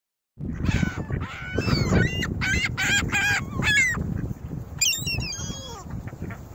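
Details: A crowd of ring-billed gulls at North Lakes squabbling over bread, crackers and cereal, recorded by a phone set among them: dense overlapping harsh, laughing calls in rapid stacked bursts, with constant low rumbling background noise.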